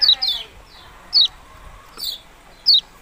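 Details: Yellow-bellied prinia calling in sharp, high descending notes, a quick cluster at the start then single notes roughly once a second.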